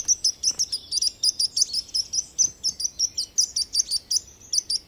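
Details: Baby chickens beside a mother hen peep steadily: loud, high, piercing notes, each short and slightly falling, repeated roughly three to four times per second with little pause.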